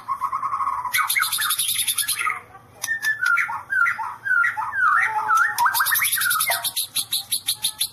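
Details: White-rumped shama delivering its 'sambaran listrik' ('electric strike') song: harsh, rattling high buzzes open and close a section of zigzagging whistled notes, the rattle repeated rapidly at the end.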